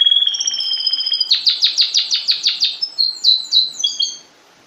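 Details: Caged canary song during vertical tutoring with the master singer below: a quick buzzy roll, then about ten evenly spaced descending chip notes, ending in short high whistled phrases before silence.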